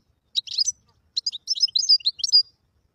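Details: Song of a wild European goldfinch: two bursts of bright, tinkling twitters with slurred whistled notes, the second phrase longer and ending in a drawn-out high whistle. Background silent.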